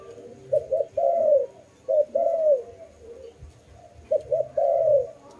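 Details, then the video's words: A dove gives low, soft hooting coos in short phrases, each a couple of quick notes followed by a longer rolling coo, repeating about every two seconds. "Lovely dove/ lovey sounds"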